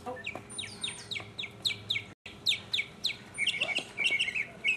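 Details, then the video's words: In 2015 a lone mockingbird sings a string of sharp downslurred notes repeated about twice a second, then switches to a quick, buzzy, jumbled phrase of higher chirps, all over a low steady hum. "mockingbird Solo"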